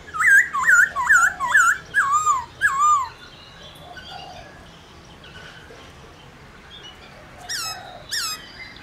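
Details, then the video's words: Black-throated laughingthrush song meant to spur other laughingthrushes into singing: six loud looping whistled notes repeated rapidly over three seconds, then near quiet, then two sharp high notes. "Khướu Hót RÉO Kích Khướu Bạn Căng Lửa Sung Mãn Hót Nhanh"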